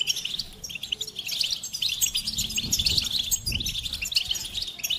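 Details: Singing goldfinch delivering lively, jumbled high twitters and tinkling trills, with faint low thumps underneath.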